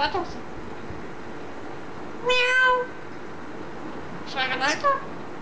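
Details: Green eclectus parrot kept as a pet, described as talking: two harmonic, slightly wavering vocal phrases about two seconds apart, the second broken into rising and falling pieces, over a steady low background hum.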